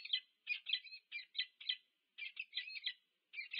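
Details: Peregrine falcons, a pair meeting at their nest at UC Berkeley, USA, on 2 November 2022, utter rough, squealing clusters of notes in short bursts separated by brief silences.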